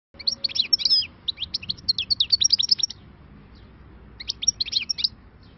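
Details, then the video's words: Newly caught wild European goldfinch singing in the khalawi style: two bursts of rapid, liquid twittering and buzzy trills, high-pitched, separated by a short pause near four seconds. Faint low hum underneath. "غناء خلوي صيد جديد _ غناء حسون بري"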